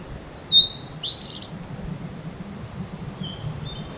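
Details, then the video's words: Blue-and-white flycatcher, one of two birds in a territorial dispute at a field visited yearly, recorded closely with an ECM-M1 microphone: a brief clear whistled phrase ending in a buzzy slurred note, then a faint distant whistle over a low background hum. "オオルリ 鳴き声"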